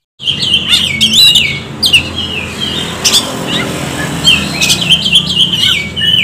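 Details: Oriental magpie-robin song played to stir birds into singing: rapid varied whistles, sliding swoops and buzzy accents, continuous and lively over a low hum.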